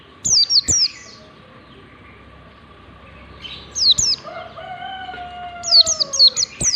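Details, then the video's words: Ngalas-style song of a warbling white-eye, played to train white-eyes to sing: quick pairs and runs of thin, high, downslurred whistles, with a softer drawn-out falling tone in the middle gap, a constant hum and sharp clicks. "pancingan pleci ngalas standar 123, PLECI BELAJAR NGALAS LANGSUNG IKUT NGALAS"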